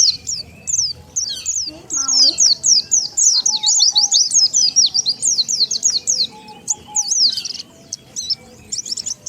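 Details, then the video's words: Oriental white-eye lure call to bring wild birds in: a long run of fast, thin, high chirps sweeping up and down, about two per second in bursts, thinning to scattered notes toward the end. "SUARA PIKAT BURUNG PLECI SANGAT AMPUH,DENGAR SUARA INI BURUNG PLECI LIAR LANGSUNG NGUMPUL"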